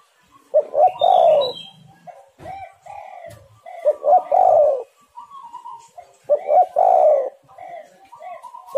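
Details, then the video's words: Spotted dove lure recording: three loud, hoarse coo phrases repeated every few seconds, each starting with a clipped note and rolling into a long coo, with quiet coos between. "tekukur super gacor suara untuk pancingan semua burung"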